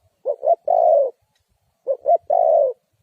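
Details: Two phrases of a Spotted dove call serving as a trapping lure, each a pair of brief hoots then a longer, smoothly falling coo, separated by a short silence.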